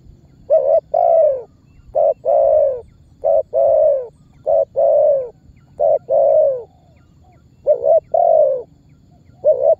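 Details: Spotted dove lure call of the calling and pressing type, used to draw target birds toward a trap. Seven quick phrases: a clipped note or stutter, then a full falling coo, roughly one every 1.3 seconds. Light background hum.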